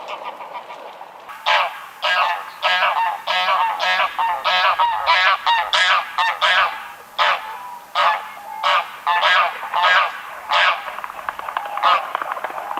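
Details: Greylag goose giving a long series of loud, harsh, nasal honks, each short and broadband, repeated roughly every half second in an irregular rhythm, with a low steady hum underneath.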